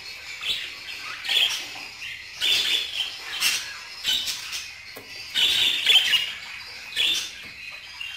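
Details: Budgerigars warbling in busy, scratchy phrases, with clusters of louder chirps and squawks about every second and quieter twittering underneath.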